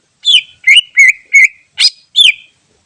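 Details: Lure recording of a wild greater green leafbird: six loud whistled notes in under three seconds, most drooping then holding steady, with one harsh buzzy note near the end.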